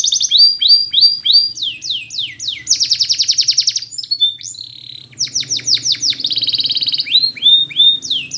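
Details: Spanish Timbrado canary song used for training, bright and high: rapid repeated down-slurred notes, dense metallic trills, a pause, then more rolling bursts and rising slurred phrases, with a faint low hum beneath.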